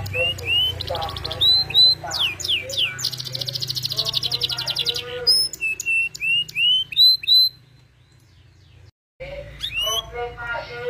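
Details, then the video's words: Canary in full 'gacor' song with melodious 'cengkok' variations: upward-sweeping whistles and quick chirps, then a dense buzzy rattle lasting about two seconds, more slurred notes, and a brief drop-out near the end. "Suara Burung Kenari Gacor cengkok Merdu"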